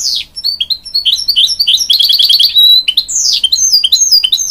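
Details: Encouraging young chicks, a hybrid goldfinch sings varied high chirps, a rapid stuttering trill, a falling sweep and more lively twitters.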